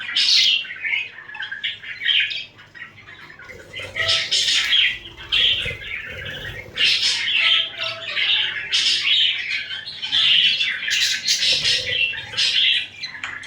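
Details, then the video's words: Pet budgies cuddling and fighting: long stretches of dense chirping and squawking warble, with a quieter lull early on and faint wing or cage sounds beneath. "Budgie chripping"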